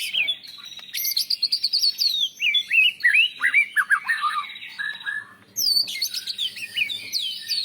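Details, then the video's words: National champion white-rumped shama singing a master song rich in mimicked fill-ins of cilalilin, canary and lovebird. Loud, fast run of varied whistled and twittering notes, swooping rising and falling phrases, a short pause near five seconds, then another bright burst. "Suara Murai Batu Juara Nasional Untuk Masteran & Terapi Burung Drop Mental"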